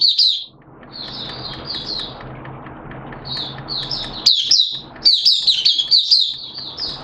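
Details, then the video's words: Oriental white-eye (Mata Puteh), a caged hobby bird, recorded 11 September 2022 in wet, erratic weather: soft high twitters at first, then a louder, fast series of squeaky, warbled chirps over low hum. "Mata Puteh T-Rex Buka Sing"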